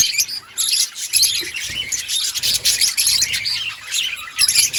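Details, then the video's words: Many budgerigars in an outdoor colony keep up a steady, high-pitched, rasping chatter of quick overlapping chirps. "Budgies chirping sounds in outdoor colony"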